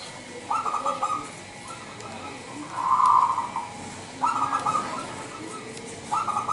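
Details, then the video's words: Indonesian local zebra dove, wild-bred, calling to lure rival doves: short purring trilled phrases repeated every one to two seconds, one louder rolling coo in the middle, over faint background hiss. "Suara Pikat Perkutut LOKAL Super Gacor sangat COCOk Buat Pancingan Perkutut Lain."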